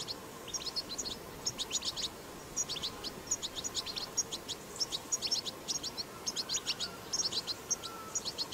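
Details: Wild European goldfinch recorded in nature, its batbata twitter used to encourage goldfinches to sing: short clusters of crisp, high chirps and quick trills repeated roughly every second, with quiet gaps and faint background hiss.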